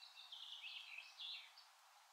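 A wood warbler sings a high, thin run of quick notes that accelerates and blurs toward a shivering trill, over faint background hiss.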